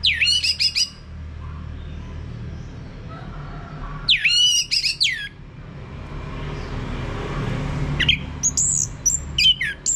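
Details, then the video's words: Orange-headed thrush singing, meant to draw males into loud ngeplong song: three separate bursts of complex, twittering, sweeping whistles, with several seconds of quiet noise between them. "ANIS MERAH Mau Berbunyi Ngeplong"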